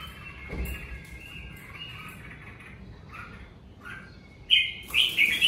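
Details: Red-whiskered bulbul at home in covid season, singing naturally: faint whistled notes at first, then loud bright warbled phrases near the end, over soft background hiss.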